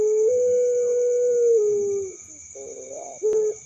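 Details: Young puter pelung dove, a bird that calls by day and at night, giving a long drawn, steady mid-pitched coo that rises slightly, then sags and fades, followed by a brief wavering note and a short final coo over a constant high electrical whine.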